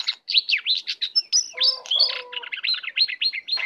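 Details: A wild Oriental magpie-robin arriving to attack makes a quick series of loud rising and falling whistled chirps, with a lower steady tone partway through.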